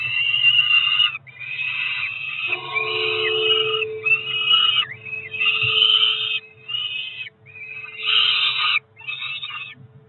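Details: Two Peregrine falcon chicks about four weeks old, ringed, on a monitored nest at Cromer in June 2023, calling at breakfast time: long harsh wailing screams in bursts of one to two seconds, with a steady low hum beneath.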